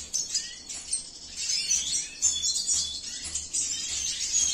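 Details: Cinnamon-mutation male Venezuelan siskin from a breeding facility gives a high, busy warble of sharp chirps and short slurred notes in uneven bursts, over a faint low electrical hum.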